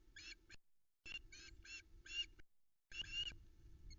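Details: Female osprey at a nest in the Arkaig Community Forest near Loch Arkaig, filmed by nest camera on 13 July 2020 around 05:43. She begs for fish while a chick eats a trout the male brought. Bursts of high, harsh, rapid chirps are broken by short pauses.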